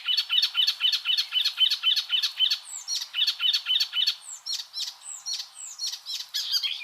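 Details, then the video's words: Icterine warbler repeating one short chirpy phrase rapidly, about four times per second, later mixing in higher sliding notes. "MASTERAN burung icterine warbler"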